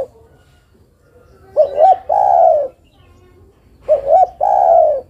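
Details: Zebra dove (derkuku) female calling the male: two brief wavering notes run into a sustained, soft, purring coo. The phrase is heard twice, roughly two and a half seconds apart, in a quiet setting.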